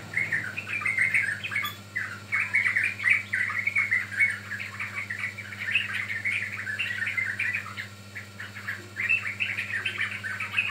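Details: Sooty-headed bulbul song for luring and tutoring birds, dense and chattering: rapid overlapping warbled notes flowing almost without pause, over a low background hum.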